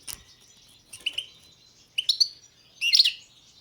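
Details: European goldfinch of the Balkan subspecies balcanica singing: four short bursts of bright, high twittering notes about a second apart, the last the loudest and most tangled, with quiet pauses between and no other clear sounds.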